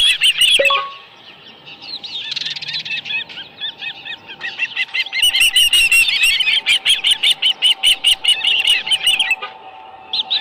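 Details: Osprey calling at the nest where a live fish has been brought: a few loud chirps, a quieter lull, then a fast, insistent string of high whistled cheeps repeated roughly every half second.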